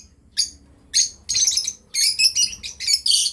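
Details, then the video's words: Breeding pair of lovebirds: a few isolated piercing chirps, then a quickening sequence of harsh, buzzy notes running close together. "Lovebirds chirping sound"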